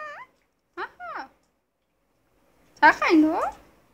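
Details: Indian ringneck parakeet, a pet talking bird, producing a few short modulated squawky utterances, then after a pause a louder harsh drawn-out phrase with sweeping pitch.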